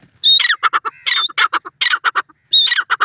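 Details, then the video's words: Wild teetar, a francolin, giving its call in a steady series. Each loud phrase starts with a thin high whistle and breaks into a chattering run of harsh, scratchy notes. The phrases come roughly every 0.7 seconds. "lalo teetar ki awaz,teetar voice,teetar sound"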